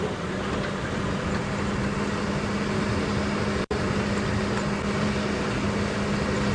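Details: A vehicle engine hums steadily throughout, with a brief dropout in the sound partway through.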